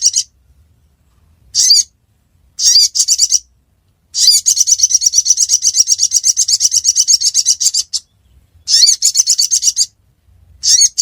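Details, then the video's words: Ruby-cheeked sunbird, known locally as sogon, recorded in Reului, Mutiara district, Pidie, Aceh, Indonesia: very high, thin chattering bursts, then a long rapid buzzy trill of even pulses lasting nearly four seconds, followed by more short bursts. "Burung Sogon Suara Durasi Panjang"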